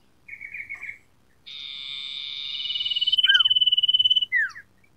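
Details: Sooty-headed bulbul training-lure song: a short chattery burst, then a long buzzy rasp flowing into a fast pulsed trill, broken by sharp falling whistles and ending with one more down-slurred note.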